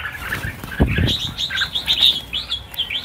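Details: Red-whiskered bulbuls, part of a New Year release of 1000 birds: a burst of wing flapping and low thumps, then overlapping bright, chirpy whistled notes from many birds at once.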